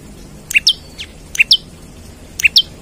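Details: Olive-backed tailorbird in full, eager song, calling out for a rival and used to lure or train birds: three crisp double chips, a lower note snapping up to a higher one, about once a second.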